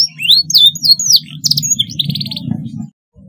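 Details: Young canary practising its song: varied high slurred chirps and descending whistles, a brief buzzy rattle, with a low background hum and a short quiet gap at the end.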